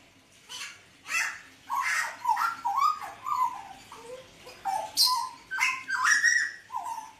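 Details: Song of a mottled ('blorok') Hooded butcherbird in full voice, 29 October 2019: a string of short fluty notes, some sliding up, broken by rasping noisy bursts, repeated in quick uneven phrases.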